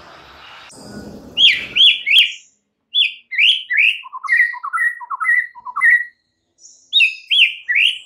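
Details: Provocation song of a White-rumped shama, played to rouse other shamas: rapid phrases of slurred whistles, high then dropping to lower rising notes, after a short noisy start.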